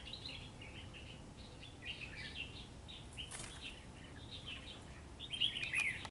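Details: Red-whiskered bulbul fighting a trap bird on a cold, rainy day, giving scattered chirpy, slurred notes in irregular groups, with a burst of wing flapping midway and a louder rush of calls and movement at the close, over constant low noise.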